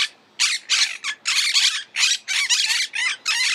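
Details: Monk parakeet calling: a run of harsh, broadband screeching squawks, each about a quarter second long, given in quick succession roughly three per second with short gaps between.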